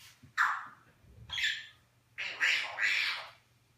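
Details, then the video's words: Eclectus parrot, a New Guinea eclectus kept as a pet and said to speak English and Flemish, gives three short harsh voiced utterances with speech-like formants, separated by brief pauses, after a person says "Go closer". "Toto, eclectus NG talking / Toto, barwnica wielka, mówi po angielsku i flamandzku"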